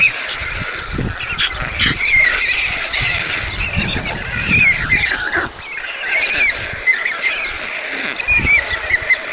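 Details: White storks feeding two chicks at Mladé Buky, Czech Republic, on 20 June 2022: a steady, harsh, wheezy clamour broken by short squeaky upslurred chirps every second or so, busy and noisy throughout.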